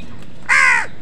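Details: Crow giving a single harsh, nasal caw of under half a second, slightly falling at the end, while wild birds fight with crows for food; quiet low background hum.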